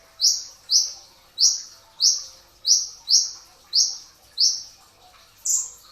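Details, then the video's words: Pre-dawn sahur training recording of a brown-throated sunbird, locally kolibri ninja dada coklat, giving rapid 'tembakan rapat' song: eight bright, piercing, downslurred notes about every two-thirds of a second. "masteran pedas kicau konin dacok, kolibri ninja 2tak dada coklat full tembakan rapat di saat sahur"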